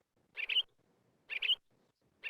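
Cassin's Finch copying a Pine Grosbeak: a short, two-part warbled whistle given three times, about once a second, clear and high against a quiet background.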